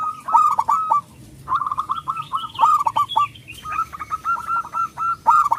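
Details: Local zebra dove with a loud, lively voice, used as a lure to provoke other zebra doves into singing and raise their breeding drive; bursts of rapid, bubbling cooing notes in several quick phrases separated by short pauses.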